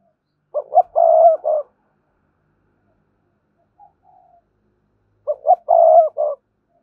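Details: Spotted dove cooing used for luring wild doves. Two matching phrases about five seconds apart, each two quick notes then a long coo and a closing note, with a faint soft note between.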